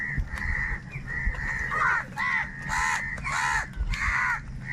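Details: Crowd of crows squabbling over food, calling almost continuously with raspy, drawn-out caws and cracking, downward-bending notes, about eight overlapping bursts in under five seconds over a faint low hum.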